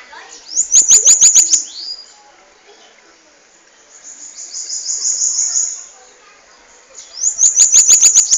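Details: Bananaquit in Natal, Brazil, a bird noted for singing a long song: bursts of very high, thin, rapid ticking notes with sweeping buzzy trills, separated by a softer sustained high hiss, repeated near the start and end.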